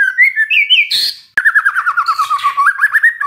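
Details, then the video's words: White-rumped shama in full song, used as a lure for stressed birds. A rich, unbroken flow of fast warbling whistles, with a harsh rasping burst near the start, then steady rolling trills. "SEKETIKA MURAI STRES SONTAK BERBUNYI DENGAR PANCINGAN INI"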